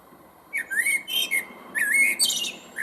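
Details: Common Blackbird song played back from a recording: two mellow fluted whistled phrases with slurred rising notes, each ending in squeaky high twittering, separated by a short pause.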